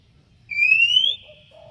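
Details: Oriental magpie-robin singing to draw a rival's answer. One long, steadily rising whistle is followed by a few faint, lower short notes, with soft background hum.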